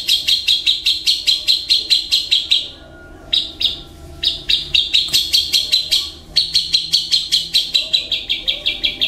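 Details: A captive long-tailed shrike (cendet) sings sharp, high chirps repeated two or three per second in long runs, broken by a brief pause, working in imitations including kingfisher, fighting sparrows and a long lovebird chatter.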